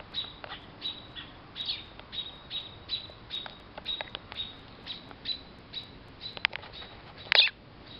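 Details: American robin alarm during a June 2012 storm in south-western Ontario, birds diving at a cat near their fallen nest: repeated thin, sharp high calls about twice a second, ending in a louder harsh burst.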